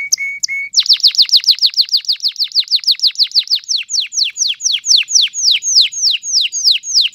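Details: Canary song from 2020: two brief whistles, then a fast run of sharp downslurred notes, about three per second, repeated evenly for six seconds.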